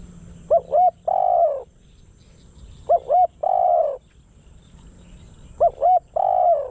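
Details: Decoy spotted dove calling to attract wild doves for trapping in Thailand; a three-part coo phrase of two quick hoots and a longer drawn-out coo, repeated three times about every two and a half seconds over quiet background hum.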